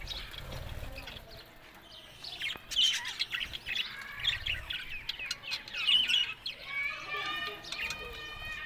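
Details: Budgerigars give softer, more spaced chatter, with short squeaky notes, a few clear rising whistles and bright chirps standing out near the end over quieter background twittering.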